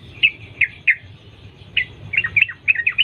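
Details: Wild Yellow-vented bulbul in a lure recording meant to set other birds singing; spaced single sharp chirps, then a quicker run of short slurred notes toward the end over a faint low rumble.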